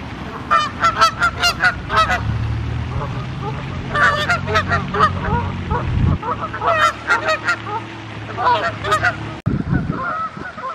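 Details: Several wild Canada Geese honking in dense overlapping volleys of nasal, raucous calls, over a constant low droning hum that cuts out near the end.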